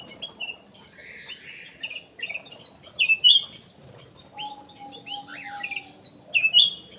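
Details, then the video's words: Ruby-throated bulbul lure song, called kutilang emas: spaced, scratchy chattering notes and sudden bright whistled slurs in short clusters, with a sustained low tone in the second half. "PANCINGAN CUCAK EMAS \ KUTILANG EMAS"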